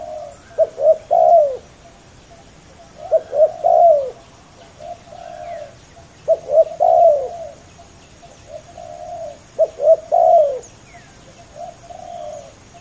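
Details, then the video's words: A fierce pair of male spotted doves competing on the ground with a decoy: loud, low three-note coo phrases, the last note drawn out, come about every three seconds, echoed by softer coos from a second bird. "ต่อดินนกเขาใหญ่ ดุเดือดคู่นี้!!"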